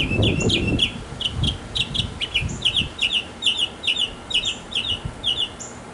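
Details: Mockingbird male singing in a backyard for a female, repeating one bright chirped note over and over at a quick, steady pace, with wind or handling rumble at the start.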